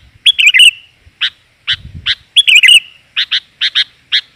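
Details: Lure call of a female sooty-headed bulbul, 'gajor' type, meant to draw in males: two warbling chattered phrases separated by sharp single chirps, with a brief low thump partway through.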